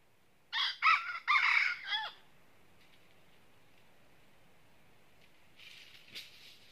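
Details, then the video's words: Red junglefowl, a red-eared decoy bird used for trapping wild junglefowl in northern Vietnam, crowing a lot on meeting a wild bird: one harsh, broken crow of about four rough syllables lasting over a second, then near-quiet with faint rustling. "Mồi Tai Đỏ Đụng Bổi Gáy Cà Lắm"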